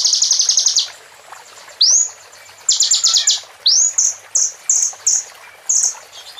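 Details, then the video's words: A plain prinia sings high, thin buzzy trills in short bursts, broken by quick upslurred notes, with a new phrase nearly every half second; the song is used as a training and lure track for other songbirds. "KONIN GACOR FULL ISIAN CIBLEK BREN AK47 PEDAS"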